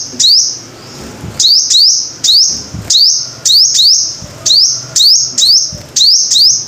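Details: A five-coloured sunbird utters shrill rising notes in a lively sequence, mostly doubled, each sustained as a ringing high tone. A soft low rumble runs in the background.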